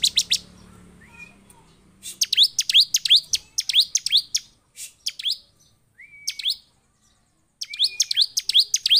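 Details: Bar-winged prinia, agitated, provoking other prinias to sing: sequences of sharp, downslurred chipping notes given in quick clusters, broken by short level whistles and brief silences.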